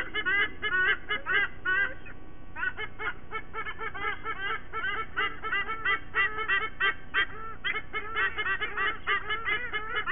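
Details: At a Sydney Olympic Park nest in Australia on a September 2023 morning, a white-bellied sea eagle pair sings with their two chicks. Long run of goose-like honking, a short pause near two seconds, then the chorus resumes strongly.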